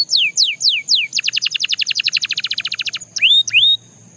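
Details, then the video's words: Belgian canary in song: four falling whistles, a long fast even trill of clipped notes, then two short rising whistled notes before quiet. "Canary Singing Sound – Belgian Canary Edition"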